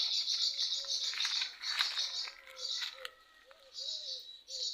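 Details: Swallows nesting at a garden in the morning, with young in flight training, twitter in fast, high, scratchy chattering phrases in bursts, while a dove's soft low coo sounds underneath.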